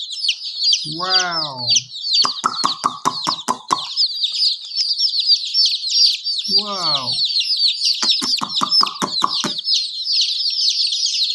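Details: Many chicken chicks peep in a dense, continuous chorus of high, short, falling chirps, interrupted by two lower harmonic voiced sounds and bursts of sharp tapping clicks.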